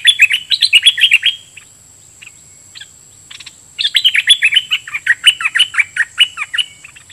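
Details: Decoy bulbul chattering and singing to wild birds: fast strings of bright, downslurred whistled notes, a pause with scattered chips, then another long excited run, with a constant high-pitched whine behind.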